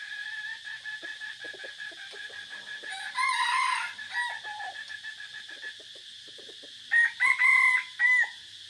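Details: Decoy red junglefowl among several birds in forest, 3 April 2024: scattered soft clucks, a rough crow near the middle, then three short sharp crow bursts close together near the end, with an unbroken high insect buzz.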